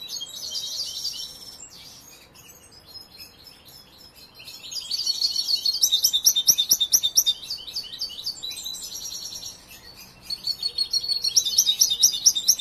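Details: European goldfinch, a young bird still learning its song after being raised and trained, gives quiet scattered twitters, then bursts of rapid, bright, jingling trills and chattering notes, with a short pause before a final burst.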